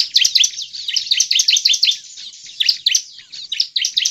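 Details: Bar-winged Prinia, used to provoke other prinias into singing, sings a rapid, high, buzzy chatter of repeated chirping notes in quick bursts, with brief pauses between phrases.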